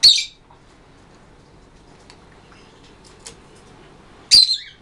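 A blue-and-yellow macaw gives two short, harsh, grating squawks about four seconds apart, with near silence between them.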